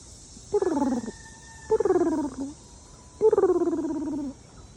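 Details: A nesting turkey hen gives three low, purring trills, each about a second and gently falling, the call she makes to newly hatched poults, after a hurricane, with distant tree-cutting as a faint steady whine.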